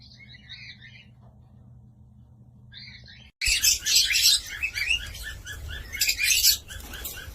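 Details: Cockatiel giving faint twittering notes at first, then after a cut a louder run of rapid, bright chirps in quick bursts.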